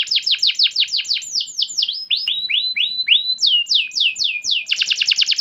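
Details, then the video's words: Canary song used to prompt other caged canaries to sing: fast series of repeated descending chirps, changing to lower slurred notes, then rising sweeps and a rapid high trill at the end. "KENARI rumahan jadi ikut GACOR dengar SUARA PANCINGAN kenari gacor ini"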